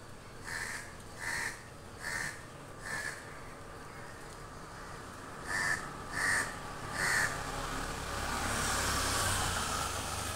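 A crow gives harsh, hoarse caws, four evenly spaced then three more after a pause; a passing vehicle rumbles in at the end.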